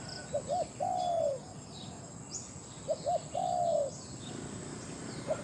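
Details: Caged decoy Spotted dove, called big-voiced, used for luring wild doves in Thailand. Gives two quick soft coos, then a long, falling, purring croon. The phrase is repeated about three seconds later, with faint chirps from other birds.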